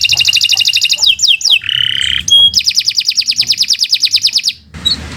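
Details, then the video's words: Canary singing in a long, continuous bout meant as a master for training other birds: fast trilled rolls of repeated notes, brief downslurred whistles, a buzzy low tour and a sharp high note, loud and unbroken. "Kicau Burung Kenari 149 II LUAR BIASA GACOR PANJANG Cocok untuk Masteran"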